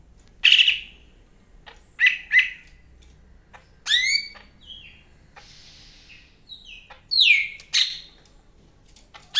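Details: Greater green leafbird, the Medan form, also called the yellow-headed green bulbul, singing actively: short bright whistled phrases and downward-swept notes in separate bursts about a second apart, with quiet gaps between.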